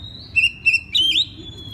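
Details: Oriental magpie-robin in full open night song, used as a lure to prompt other magpie-robins to answer: two short bright whistled notes, then a longer rising-and-falling whistle held high and clear over a low steady hum.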